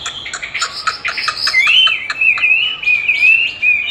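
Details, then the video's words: Chinese hwamei in training, answering a recording of its own song: a buzzy, tangled opening gives way to a sustained, wavering clear whistle that slides up and down. "Dùng đúng giọng hót của nó để luyện hót cho nó(công nhận nó rất thích đấu với chính giọng của mình)"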